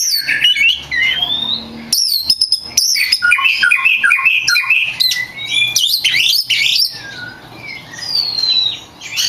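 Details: Oriental magpie-robin (kacer), a prize-winning songbird whose song serves to train other kacer, delivering loud continuous varied song: scratchy squawks, sweeping high whistles and dense warbled runs, with brief gaps and a faint low hum behind.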